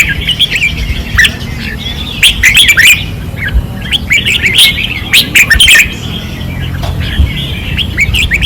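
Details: Red-whiskered bulbuls on a practice perch sing fiercely in 2024. Dense bursts of sharp, whistled notes tumble together, several singers overlapping, while a low mechanical hum continues underneath.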